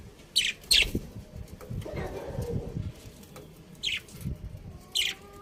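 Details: Budgerigars giving sharp, high, scratchy chirps in short pairs near the start, then single bursts later, over a low rumbling and rustling background.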